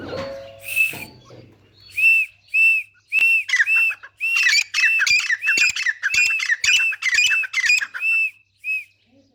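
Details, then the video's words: Grey francolin, locally teetar, playing in mud: after a brief low tone, a loud series of clear arched squawking notes starts slowly and speeds into a rapid, overlapping run of harsh calls. "Teetar ki awaz | Teetar Playing in Mud and Making Sounds | Gray Francolin Beautiful Voice."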